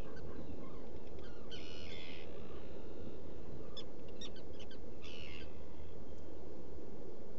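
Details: Black guillemots at a nesting burrow on Seal Island, Maine, in June early morning; two buzzy, strained calls about half a second long at roughly two and five seconds, with scattered ticking sounds over a constant low rumbling background.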